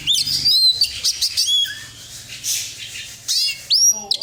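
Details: Oriental magpie-robin song played as a lure to set other birds singing, a rapid run of clear whistles, chirps and upward-sliding notes mixed with scratchy noisy bursts, a short pause midway, then more rising whistles.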